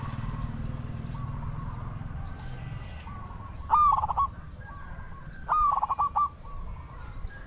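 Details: Spotted dove cooing during decoy luring of wild doves: two loud, warbling coo phrases about two seconds apart, each ending in a short tremulous flourish, while fainter coos from distant doves and low background noise continue throughout.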